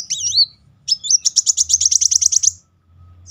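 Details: Van Hasselt's sunbird singing as a lure: a high looping whistle, then a fast, even series of about fifteen sharp, high repeated notes lasting over a second before stopping.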